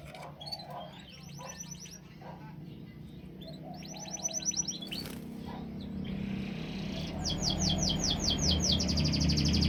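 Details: Canary song in short bursts: quick high trills of repeated downward-sweeping notes, broken by pauses and a knock, ending in a longer, louder series of falling notes over a low rumble.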